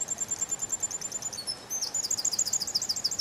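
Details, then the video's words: Canary singing in a spring forest: high, rapid trills of quick repeated notes, a thin even trill first, then a brighter, louder, rolling trill in the second half. Steady background hiss throughout. "Пение канарейки, канарейка поет в весеннем лесу"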